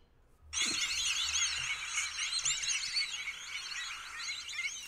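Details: White-faced Whistling-Ducks (Dendrocygna viduata) with ducklings at Sonso Lagoon near Buga, Valle del Cauca, Colombia, in tropical dry forest: a dense, unbroken chorus of high, thin whistles and peeps, many birds overlapping at a quick pace.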